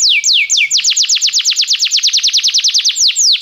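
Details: Belgian canary singing, used to warm up other canaries: three slow downward-slurred whistles, then a fast run of sharp descending sweeps, about seven per second, bright and high-pitched.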